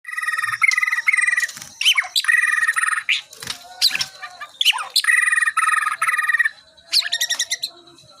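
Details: White-rumped shama getting ready for a singing contest, delivering dense, buzzy, rattling phrases in stacked bands, broken by quick sharp downslurred notes and short pauses, phrases lasting about a second each.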